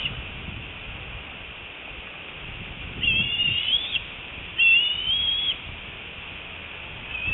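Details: Excited squeeing of a fledgling bald eagle back at its nest after its first 6.5-hour absence, afternoon of 25 February 2018, adult eagles nearby; two high, thin whistled squeals, each about a second long and wavering upward, a second apart.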